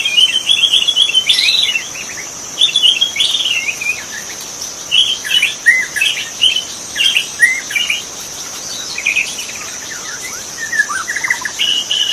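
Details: Magpie-robin in the wild forest delivering a long, varied song of rapid whistles, slurred notes and chattering trills in repeated phrases, with a constant shrill insect hum behind it.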